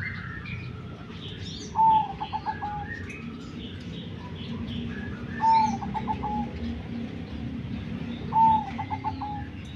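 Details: Three repeated zebra dove phrases, a long pure opening note then four or five rapid clipped coos, about three seconds apart, over steady low hum with scattered high chirps of other birds.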